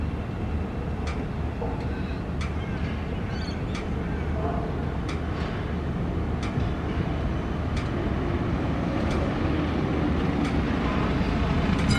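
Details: Steady low engine or train rumble with scattered clicks and faint voices, and no clear animal calls.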